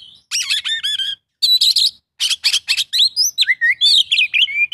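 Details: Oriental magpie-robin in a 'full isian' mimicry song: dense bursts of scratchy, buzzy notes alternate with bright upslurred and downslurred whistles, delivered in rapid, closely packed phrases.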